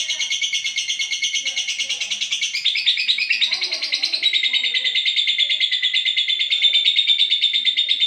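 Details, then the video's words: Olive lovebird in long-duration song, a dense, continuous buzzy chatter in a high register, steady rapid pulses with a brief burst of squeaky notes midway, then a smoother trilled stretch to the end. "love bird olive durasi panjang"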